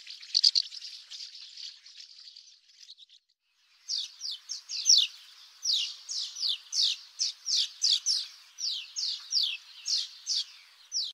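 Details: Common house martin giving a buzzy, high twitter for about three seconds, then after a brief pause a steady run of sharp, down-slurred chirrups repeated roughly twice a second, clean and uninterrupted.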